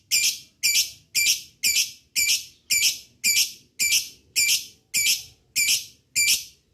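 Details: Lovebird calling meant to stir other lovebirds to sing, a rapid series of shrill, harsh screeches, about two per second, steady and even throughout.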